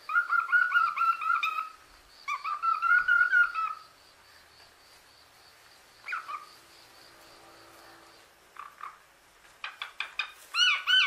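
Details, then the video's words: Pet female common hill myna giving two long rapid runs of rhythmic voiced syllables, then single harsh notes after a pause, and a closing flurry of loud chattering sounds, all indoors in captivity. "Amazing Talking Hill Mynah Birds | Cute Animals | beo der sprechende Vogel"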